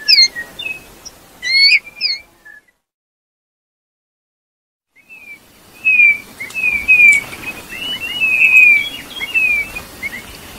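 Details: Eurasian bullfinch with a few rising whistles, a pause, then a soft run of sliding, downslurred piping notes and twitters over light background hiss.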